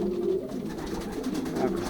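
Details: Young racing pigeons pairing in a loft, 2023 season, Poland; brief, deep rolling coos rise from a murmuring group of birds indoors.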